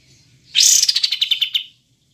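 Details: Kapas tembak (olive-winged bulbul), a clear recording: a single burst starting with a bright, slurred high note that flows into about ten quick, evenly spaced chips, falling slightly in pitch, lasting just over a second.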